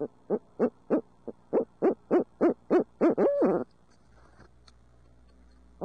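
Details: Urbanized barred owls in midtown Tulsa giving a long hoot fest: about ten rapid, evenly spaced hoots climbing in loudness, ending in a drawn-out, arched wavering hoot, then quiet.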